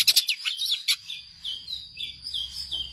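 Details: Long-tailed shrike singing as a master for songbirds: a few loud sharp chips open, then softer varied whistled and warbled notes follow at intervals.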